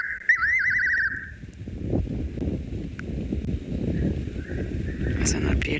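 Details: Fiery-necked Nightjar heard at night in a South African game reserve with the engine off; a loud quavering, warbling whistle at the start, then low rumbling and rustling noise for the rest.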